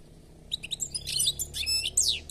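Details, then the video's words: European goldfinch singing, a recording offered to prompt a silent goldfinch to sing; after a short pause, crisp rapid high notes and liquid twittered phrases follow in quick succession, ending with a sweeping descending note, over a faint low hum. "علاج الحسون الصامت بتبته"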